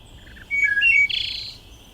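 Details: Wood Thrush song, a layered vocalization from both sides of the syrinx: a few soft low notes, then clear fluty whistles, ending in a high, shimmering trill layered above the lower phrases.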